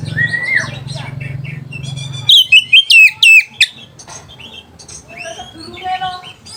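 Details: Oriental magpie-robin song played as a lure to rouse rival birds and breeding urge: softer mixed chirps, then a short run of loud, sliding whistles in the middle, followed by quieter scratchy notes and a low hum at the start.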